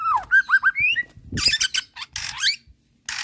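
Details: White-rumped shama song as bait: looping whistled slurs followed by harsh raspy bursts and a brief pause, with some low background noise.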